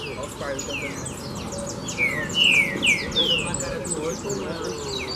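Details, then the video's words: Several green-winged saltators, said to be excited by a loose female nearby in a tree, sing rich, slurred whistles that slide downward and overlap in quick bursts over steady background hiss. "Os Trincas Ferros Ficaram Loucos Com a Fêmea Solta!!!"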